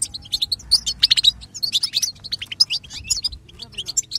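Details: Goldfinch song used to excite other goldfinches: busy, high-pitched twittering phrases of sharp chips and tinkling notes, delivered continuously and rhythmically, with a quiet low hum underneath.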